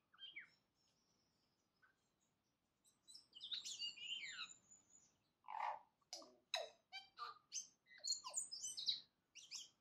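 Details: Dawn song of a tui: after a quiet start, a long run of high whistles, twangy slides, wheezy rasps and sharp clicks, the elements tumbling together in quick succession with faint background hiss.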